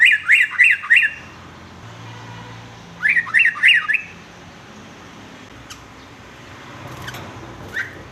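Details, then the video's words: Sooty-headed bulbul singing as a model for young males to copy varied songs: two bursts of three to four quick, looping whistled notes, followed by scattered faint chips. "kicau trucuk aneh tapi unik"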